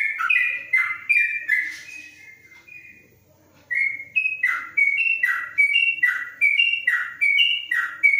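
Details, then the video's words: Yellow-vented bulbul singing from inside a cage cover in Kebumen, Indonesia, in 'ropelan panjang' style: a burst of whistled notes, a quiet second-long lull, then regular paired whistles about seventy-four per minute, rising then dipping. "Trucuk Ropelan Panjang dalam krojong"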